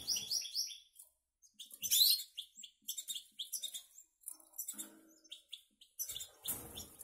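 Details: Twittering song of a caged goldfinch by canary hybrid, Canary Islands: lively strings of high chirps and short trills, some louder bursts, with light cage rustles.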